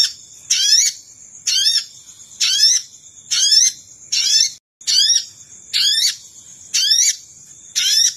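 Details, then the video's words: Sogon luring sound for attracting wild birds. Nine short, grating notes with sweeping rising harmonics repeat about once a second, with one brief drop to silence and a steady high-pitched whine underneath. "Suara Pikat Burung Sogon"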